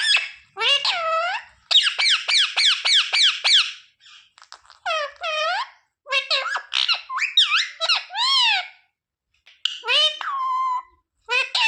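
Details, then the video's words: Talking parrot repeating devotional phrases like sita-ram and jai shree ram, also mummy and papa; a fast run of repeated squeaky syllables, then varied rising and falling speech-like calls with short gaps. "Parrot talking sita-ram🚩parrot talking jay shree ram🚩सीता-राम 🚩जय श्री राम🚩mummy papa bolane wala"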